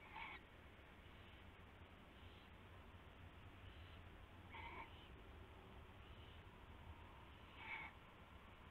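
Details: Night-time owl calls around a rabbit being passed as prey, February 2016; three hoarse hissing screeches at uneven intervals, with fainter rasps between them and a low continuous hum behind.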